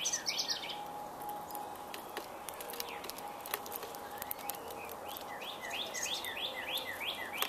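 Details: Spring woodpecker in Indiana giving a fast series of high, rising chevron-shaped notes, roughly three a second, building toward the end over a few scattered chirps, clicks and a soft steady hum.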